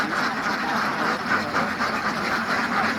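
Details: Many ducks on a farm, a dense and continuous chorus of overlapping harsh, nasal quacks with no pauses, steady in loudness throughout.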